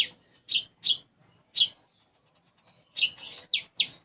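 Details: Konin, the brown-throated sunbird, in lively song with sparrow-style fill: loud, sharp chirps spaced irregularly, some single and some in quick pairs, with quiet gaps between.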